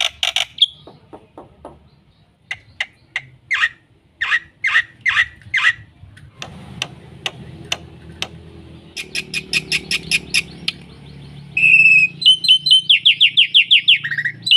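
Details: Varied, busy song from a black-winged myna, a training lure for non-singing birds: spaced harsh calls, clipped clicking runs, then a fast string of loud buzzy notes ending in rapid whistled chatter.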